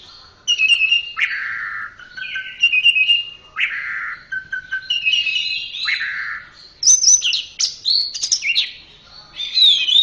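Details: Orange-headed thrush song of repeated descending whistled phrases roughly every second, becoming more varied with squeaks and high chips toward the end.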